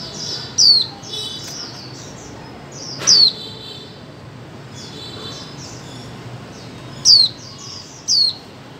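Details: A female white-eye's calls, meant to prompt mute birds to sing. Sharp, high, downslurred whistles come at irregular intervals, four standing out clearly. Softer, thin twittering notes fill the gaps against a faint steady hiss.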